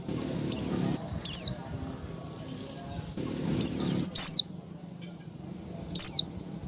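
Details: Female Oriental white-eye in breeding condition calling to a male: sharp, high, downward-sliding chirps, five spaced irregularly over about six seconds, two of them louder, over a low murmuring background hum.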